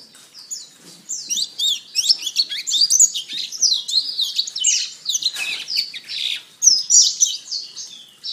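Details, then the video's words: Canary song recorded for tutoring other birds: dense, rapid high twittering and warbled notes run almost without pause, rich and chattering, in an otherwise quiet setting. "Masteran Terbaik Kenari"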